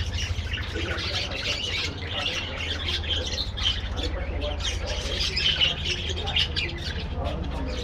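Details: Budgerigars calling together in a colony aviary: dense, overlapping chirps and squawky warbles form a continuous chatter, with a steady low hum running underneath throughout.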